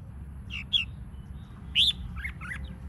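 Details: Red-whiskered bulbul song used as a lure to push other bulbuls into competition singing; clear whistled notes with upslurs and downslurs, one longer warbled phrase, over a steady low background hum.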